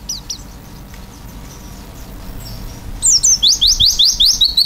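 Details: Oriental white-eye singing vigorously in the filled-in style: after three near-silent seconds with faint distant twitters, a quick series of bright, high, down-slurred whistles repeats evenly, close to three per second.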